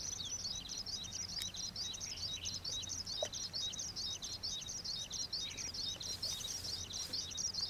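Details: Oriental pratincoles at Xinyuan, Taiwan, where they are common summer visitors breeding in open dry ground, usually in pairs or small groups, give a dense overlapping chatter of sharp high chirps and short kit notes from many birds, over a low rumble.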